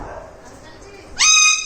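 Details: Pet parrot, asked to copy the voice of a six-month-old baby, answers soft human speech with a short, loud, tonal cry rich in harmonics.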